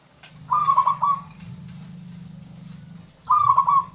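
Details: Zebra dove, local type, singing as a lure for wild doves: two rapid warbling coo bursts nearly three seconds apart, with a low continuous hum running between them.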